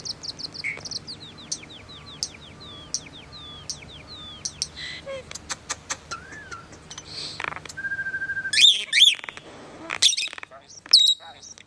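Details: Common starling in long varied song, opening with a fast run of high sliding whistles and buzzy notes, then a soft warbled phrase and loud sharp clicks and squeaks near the end.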